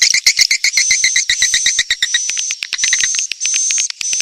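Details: Edible-nest swiftlet lure sound from Kalimantan, used by swiftlet farmers to attract birds: rapid series of sharp chirps, about four per second, shifting into high, thin, sustained trilling notes with brief gaps.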